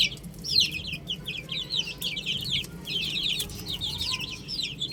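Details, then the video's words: Chicks playing on a roof keep up a dense chorus of shrill, falling chirps, many voices tumbling over one another without pause against faint low rumble. "Adorable Chicks Chirping Sounds"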